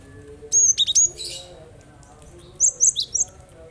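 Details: Cinereous tit song meant to coax other birds into singing; two bursts of bright, high, clipped whistles, four or five notes each, separated by a short pause.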